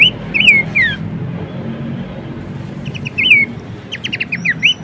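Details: Horsfield's babbler (pelanduk semak) song used as tutoring material for cage songbirds: scattered loud whistled loops and falling slurs, then a burst of short sharp notes near the end, over a faint low hum.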